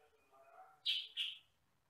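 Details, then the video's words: Sooty-headed bulbul, known locally as kutilang sutra, with a voice of one or two fairly loud tones, recorded as a training recording for other birds: two loud harsh chirps follow a soft low hum. "MASTERAN BURUNG KUTILANG SUTRA"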